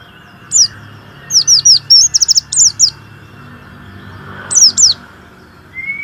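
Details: Warbling white-eye in steady song, played mornings and evenings to stimulate quiet or unmotivated white-eyes to sing: high thin twittering phrases of quick downslurred notes in short bursts, separated by pauses, over a faint steady hum.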